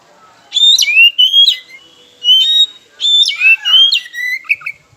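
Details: Oriental magpie-robin, locally kacer, singing as a lure to provoke rivals: repeated bursts of sweet whistled phrases with sharp slurred notes, separated by brief pauses.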